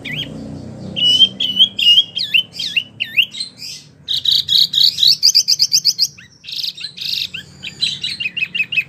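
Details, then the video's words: Hard-singing wambie mini, a model voice for competition songbirds: looping whistled notes and chirps, then a fast bright trill and rapid twittering, over a low rumble of background noise. "wambie mini super gacor"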